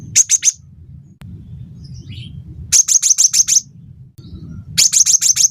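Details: Cinereous tit singing briskly to coax caged birds to sing: three rapid strings of three to six piercing high chips, evenly spaced, with soft faint notes between and a low background drone.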